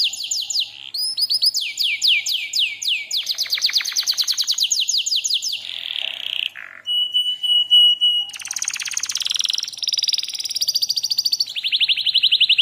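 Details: Canary singing a lure and master tutor recording: fast swept trills, a sustained flat whistle, then harsh buzzy rattling phrases and a rapid repeated series to the end.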